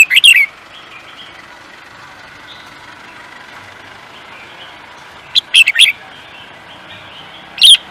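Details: Competition singing bird delivering short clusters of rapid, high, slightly descending chirps: one at the start, a longer burst of four notes near the middle, then a single note at the end, over low steady background noise.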